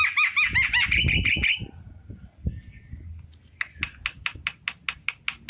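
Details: Afternoon song of a Javan myna: a rapid string of bright, repeated whistled notes, a pause, then regular sharp clicking notes about every quarter second.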